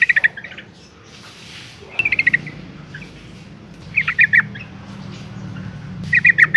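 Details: Female yellow-vented bulbul in breeding condition calling males. Short, fairly faint bursts of quick chattering notes come roughly every two seconds against a noisy background with a low hum.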